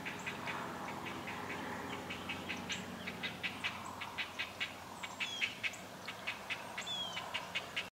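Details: Great blue heron chicks in a pine-tree nest beg for food with a dry, clicking chatter of three to four ticks per second, while another bird adds a few thin whistled notes.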